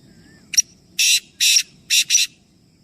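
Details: Rasping call of a black francolin, one of three birds: a brief sharp note, then four loud scratchy bursts, the last two close together, with a soft low rumble between phrases.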